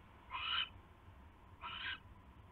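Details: Owl at a nest site, 12:43 AM on 27 January 2016, as a huge rat is brought in: two raspy, hissing screeches about a second apart, the first slightly stronger.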